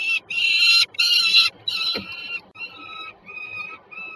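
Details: Two peregrine falcons at Żerań, Warsaw, Poland, on 26 September 2022: three loud, harsh, harmonic drawn-out calls in quick succession, then four fainter, shorter notes trailing off, with low background hum.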